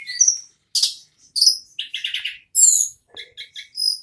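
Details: Ashy tailorbird, locally tledekan or sulingan gunung, sings nonstop nagen ngerol: high whistles, loud chirps, a buzzy stuttering phrase, then a soft, evenly spaced chip series.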